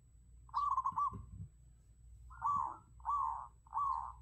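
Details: Zebra dove used as a decoy bird: a fast rippling coo phrase, then three shorter rolling coos in quick succession, with a few dull low knocks between them.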